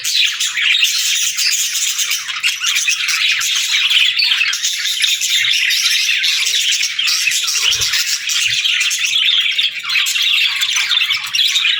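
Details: Pet budgerigars produce a thick, constant wall of twittering chirps and squawks lasting the whole passage, with a couple of soft low knocks around eight seconds.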